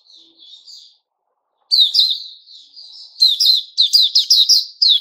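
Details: White-rumped shama song from 29 August 2021: a faint thin phrase opens, then after a silence come rapid, loud, buzzy high chirps that grow denser toward the end.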